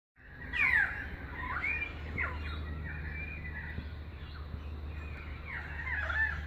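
Currawongs give loud, ringing, slurred whistles and downward-sliding notes, several in a loose sequence, over a steady low hum of background noise.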